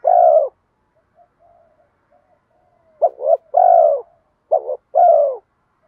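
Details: Bronze-voiced spotted dove coo in the kèm mắt me style, used to pull wild doves in fast. One long, rich coo opens the clip. After a quiet pause come two more phrases of short double notes and a sustained falling coo.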